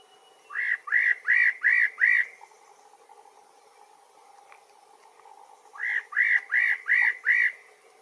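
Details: Spot-breasted parrotbill repeating a phrase of five bright, arched whistled notes in quick even succession, then pausing several seconds before giving the same five-note phrase again.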